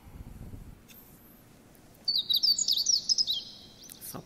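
A Meadow Bunting sings one quick, high phrase of about a dozen jumbled, twittering notes over a second and a half. Faint low rumble and a soft click surround it.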